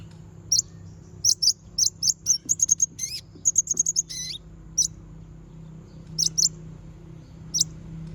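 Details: Provocation song of a konin used to lure rival konin: dense, rapid series of high, sharp chirps and trilled notes, including a swooping lower note in the middle, thinning to scattered single chirps toward the end.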